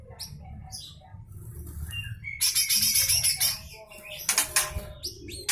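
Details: Harsh besetan full song from a lesser green leafbird, meant as filler for shama and magpie-robin training; sharp high chips lead into loud buzzy chattering bursts with short pauses, low hum beneath.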